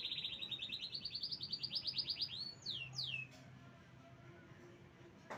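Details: Canary song with a fast run of sharp repeated notes rising slightly in pitch, followed by a few sweeping descending whistles, then near quiet with low hum.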